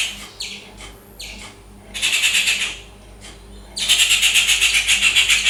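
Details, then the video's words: Rufous treepie in its natural habitat giving short downslurred rasps, then two loud runs of grating, pulsed chatter, each rapid and rattling, the second lasting nearly two seconds. "Rufous treepie bird making loud sounds - ഓലഞ്ഞാലി പക്ഷിയുടെ ശബ്ദം"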